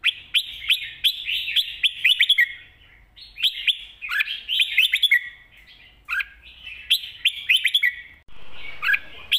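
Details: Red-whiskered bulbul delivering a spirited 'mae bot' master-pattern song. Long runs of rich, chattering whistled notes form phrases of about two seconds, each followed by a pause, then single sharp notes near the end.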